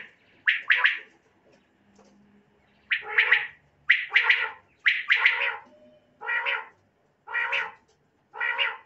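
Common quail giving harsh, raspy bursts in pairs and threes, then single calls about once a second; no other sounds stand out.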